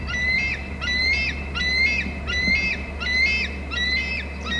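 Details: Bald eagle at a nest-territory camera on Hornby Island, calling loudly as another eagle flies in: clear, repeated high piping screeches with bright harmonics, about seven notes in under five seconds, over a steady low electrical hum.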